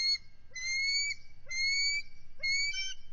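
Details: Nesting bald eagle pair defending their nest and egg against an intruding mature adult eagle, February 18, 2023. Four piercing whistled notes, each rising gently, come roughly once a second. The last note breaks into a split, wavering tone.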